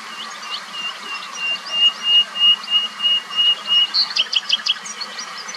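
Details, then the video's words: A common nightingale sings a steady run of clear, swelling whistles, about three a second, that breaks into a quick burst of higher, sharper notes. A faint low hum sits underneath. "BÜLBÜL SESİ / COMMON NİGHTİNGALE VOİCE"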